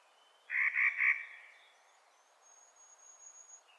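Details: Three rapid, harsh, rasping notes from a Clark's nutcracker in spring, followed by a long, thin, high whistle from another bird.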